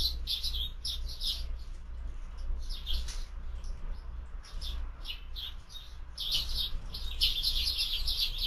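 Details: Sparrows at a feeder in the afternoon chirp in quick, overlapping bursts of short, bright notes, several birds calling almost continuously, over a steady low rumble.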